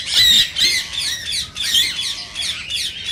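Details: Rose-ringed parakeets, whose calls are said to stimulate other parakeets to sing and mate, give harsh, high screeching squawks in quick bursts, roughly every half second, with several birds overlapping.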